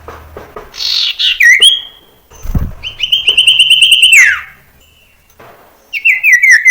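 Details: Common iora song serving as a lure to teach young birds varied singing. Brief buzzy notes and a knock, then a long steady high whistle ending in a downward slide, followed later by a descending series of short whistles.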